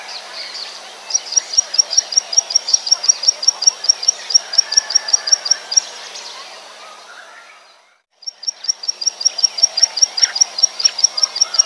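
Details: Prinia in the wild, sound used to lure birds into traps: high, sharp notes repeated rapidly in a steady series, breaking off into a brief silence before resuming, amid scattered calls of other birds.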